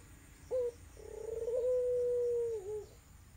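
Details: A single coo from an irak/tangerine barbary dove, kept as a lure for a dove that has stopped calling. A short sharp note, a pause, then a long rolled coo that swells and dips at the end.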